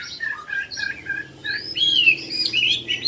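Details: Caged yellow-billed Chinese hwamei kept at home in Vietnam: quick varied whistles, short slurred notes leading into a loud, high drawn-out whistle and further bright phrases.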